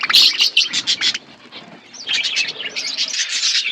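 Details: Pet budgerigars chirp while feeding: a loud burst of quick, high chirps and squeaks, a short quieter pause, then renewed rapid twittering from several birds.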